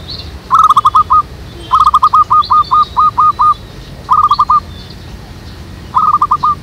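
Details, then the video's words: Perkutut, or zebra dove, used as a trapping lure in a jackfruit tree behind a house. It gives four bursts of rapid, clipped cooing notes. The longest phrase has about ten notes, and each note ends with a small downward hook. Soft chirps from other birds sound above. "PIKAT BURUNG PERKUTUT DI POHON NANGKA BELAKANG RUMAH ZEBRA DOVE TRAPP"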